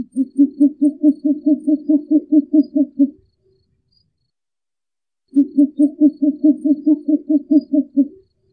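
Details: Short-eared owl uttering two long runs of soft, deep hoots, roughly thirteen per run at a fast, regular pace, separated by a two-second gap of silence.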